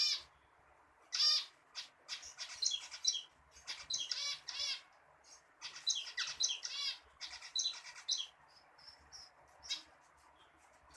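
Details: Zebra finch in full song: rapid runs of buzzy, nasal, trumpet-like notes and sharp high chirps, delivered in dense bursts with brief pauses throughout.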